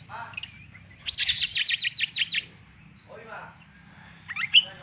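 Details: Kacer, or Oriental magpie-robin, delivering a fast series of about nine buzzy, harsh repeated notes, preceded by a few whistles and followed by a soft rasp and a final high chirp; low hum behind.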